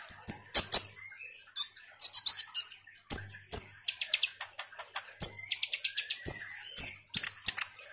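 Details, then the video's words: Common iora singing vigorously as a lure for kolibri ninja birds: varied sharp high chirps, buzzy clustered notes and rapid stuttering series, with faint thin whistles running underneath. "suara PANCINGAN KONIN GACOR NGOBRA"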